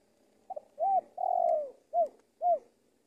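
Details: Indonesian luring decoy spotted dove: faint double note, a curved coo, a long falling coo, then two separate short rounded hoots about half a second apart.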